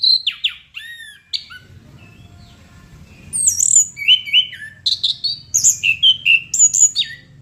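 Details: Gacor song of a chestnut-capped thrush: clear downslurred whistles open the clip, then a pause, then a dense run of sharp, varied chirps and slurred notes, very high and bright, with a soft low hum underneath.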